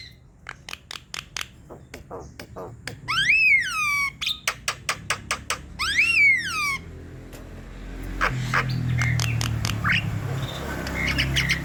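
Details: Javan myna song played to coax silent birds into song. Dry clicks surround two drawn-out, falling, whistled squeals, and a rushing noisy background takes over near the end.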